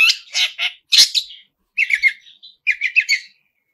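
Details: Long-tailed shrike singing vigorously with full mimicked fill-ins: harsh, buzzy bursts followed by clusters of quick chattering notes in short phrases separated by brief silences.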